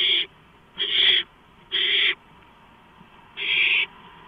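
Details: Barn owl at the nest during a gopher delivery, 11:43 PM, 2 April 2015: four coarse, hissing screeches at slightly irregular spacing, with no other sounds.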